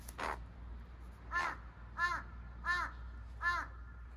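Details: Wild Large-billed Crows, a pair holding territory around a house, in April during the spring breeding season, possibly exchanging calls with a captive crow indoors, give five hoarse, nasal caws, the last four about two-thirds of a second apart, over low hum.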